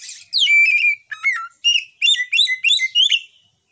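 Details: White-rumped shama, recorded on a Realme phone as a lure song to stir up emotion and breeding drive in other shamas or silent ones; loud rich whistled phrases with sliding notes, then a rapid run of bright repeated chirping syllables.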